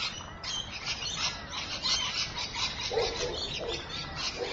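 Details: At Evans Head, 26 May 2012, rainbow lorikeets chatter in dense, grating high screeches, with some lower rough squawks in the second half.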